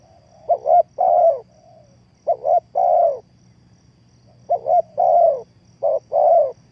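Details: Spotted dove used as a decoy for trapping, giving three cooing phrases; each is two short quick notes and then a longer, throaty, falling coo. A faint low hum runs underneath.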